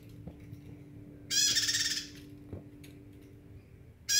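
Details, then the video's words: Bar-winged prinia singing harsh, buzzy bursts under a second long, one complete and another starting at the end, over a faint steady low hum. "Prenjak gacor"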